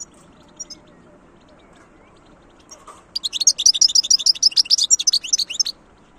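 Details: After a few soft chirps, a European goldfinch breaks into a rapid, dense series of high tinkling twitters and chirps for about two and a half seconds.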